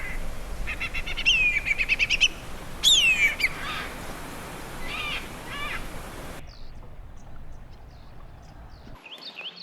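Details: A whistling kite, a noisy raptor that calls in flight or while perched, gives a quick run of thin piping notes, then a clear downward-sliding whistle. This is at the lagoons of Morgan Conservation Park by the River Murray, South Australia. Other birds chirp over a steady hiss.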